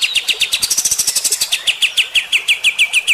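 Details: Bulbul with rough 'tembakan' song, aimed at provoking fighter-type birds: a steady fast stream of sharp downslurred notes, about four per second, over a faint higher trill.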